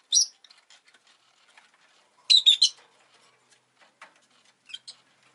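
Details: Pet rosy-faced lovebird after egg-laying gives one sharp chirp, a pause with faint ticking, then a loud harsh trio of chirps and a softer pair near the end.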